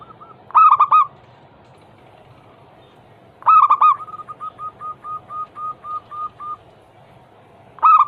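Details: Zebra dove song used to stir other doves into singing: loud clusters of three low cooing notes recur about every three seconds, the middle one trailed by ten soft evenly spaced coos.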